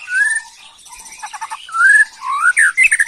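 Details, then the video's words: Agitated white-rumped shama in 'macul' style: clear rising and falling whistles, a short buzzy stuttered burst, then more looping whistles and sharp clicks. "Murai Batu emosi Gaya MACUL‼️pancing emosi BuruNG Muda"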